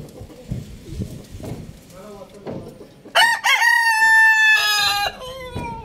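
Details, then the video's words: Loud crowing from a rooster: low clucks and farmyard murmur, then a sudden strident cock-a-doodle-doo with a sharp stuttered start, a long level middle and a falling final note. "Happy rooster Crowing Loudly"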